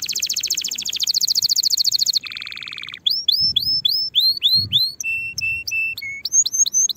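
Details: Canary song meant to train young birds before next season: long fast ringing trill, a lower buzzy roll, then upswept whistles, flat sustained notes and quick chirps in varied sequence.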